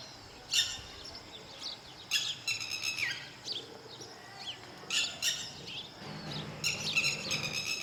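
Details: Lapwing defending its chicks in open country: repeated piercing, harsh cries in irregular bursts, some paired in quick succession, with thin fainter notes between and little other noise.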